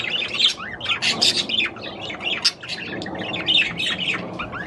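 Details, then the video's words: Budgerigar singing to stimulate the female to mate: a dense, continuous chattering warble of rapid squeaky notes and short rising whistles, with a few sharper chirps standing out. "تغريد طير البادجي لتحفيز الأنثى على التزاوج"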